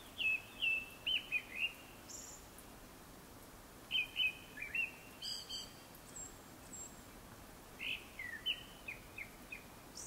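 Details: Japanese thrush singing before sunset: three bursts of clear whistled phrases, each a run of three to four repeated slurred notes followed by thinner high notes, separated by pauses of about two seconds, over a quiet background.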